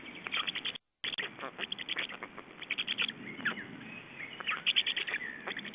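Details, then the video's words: Evening nest scene of Estonian black storks on 29 May 2012, feeding and a change of adults at the nest: repeated hoarse, wheezing call bursts and some thin rising squeals, with a short dropout near the start. "Estonian Black Storks - Feeding and change"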